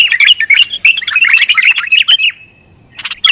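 A bulbul sings a fast, bright run of chirping and warbled notes for about two seconds, then falls quiet before a short final burst.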